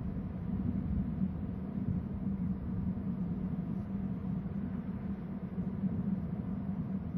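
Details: A steady low engine-like rumble with a constant hum and no animal calls.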